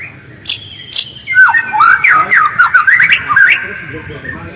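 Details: White-rumped shama singing in its real voice, used to coax another shama into active song: a few sharp clicks, then a quick run of bright whistled notes dipping and rising, fading at the end.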